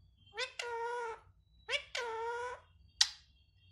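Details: Pet parrot talking, asking for roti: two drawn-out, nasal, speech-like syllables with rich harmonics, each about half a second long, followed by a short sharp squeak, indoors with a low background hum.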